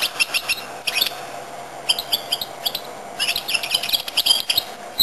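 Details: Goldfinch-canary hybrid singing: bursts of bright, rapid twittering and trilled notes, pausing between phrases, high and sharp throughout, with a faint steady hum underneath.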